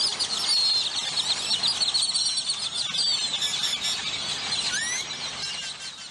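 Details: Grackles calling at a roost in McAllen, Texas: a dense, constant chatter of high squeaky notes, with a few clear whistled upward sweeps near the end, from many birds at once.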